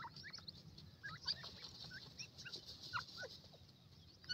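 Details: Young grey francolins playing on warm ground give scattered short peeps and rising chirps, irregular and overlapping, with light rustling and a steady low background hum.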